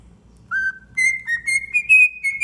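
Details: Tame pet cockatiel singing indoors, children enjoying it: a clear whistled phrase of sustained tonal notes, starting lower then stepping up and holding steady with slight wavers, several short notes in succession over about two seconds, faint low background hum.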